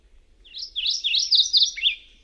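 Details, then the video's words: Subalpine warbler (Sylvia cantillans) singing a single blurred, high, scratchy warble of about one and a half seconds, with slightly smeared, run-together notes. "Canto da AveToutinegra carrasqueira (Sylvia cantillans)"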